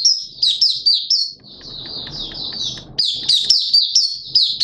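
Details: Malaysian oriental white-eye in open 'buka' song: clear, high slurred twittering phrases repeated quickly, a short softer lull in the middle, then strong bright phrases resume.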